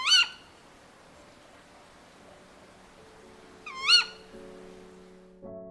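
Tawny Owl giving two sharp, shrill calls about four seconds apart, each with a quick rise and fall. Soft background music plays underneath.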